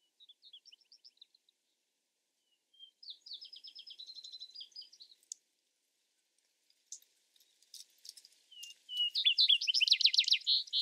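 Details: Vesper sparrow singing over about eleven seconds: scattered high chips, a buzzy, stuttering phrase, a few clicks, then a loud, fast trill of repeated notes.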